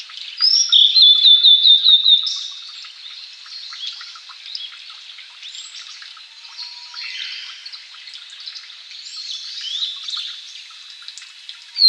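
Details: Male blue-and-white flycatcher, one of Japan's three famed songbirds, singing during courtship display to a female: a clear whistled phrase ending in a fast series of about six repeated notes, then soft twittering and echoing calls.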